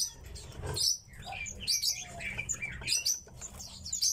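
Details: Captive tits kept at home give thin, high chirps and quick twittering notes in short overlapping bursts, with soft rustling and low background rumble underneath.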